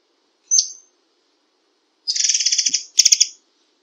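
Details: White-rumped shama: one sharp high chip, a pause, then two quick bursts of buzzy rattling notes in the dense 'tembakan rapat' rapid-fire style.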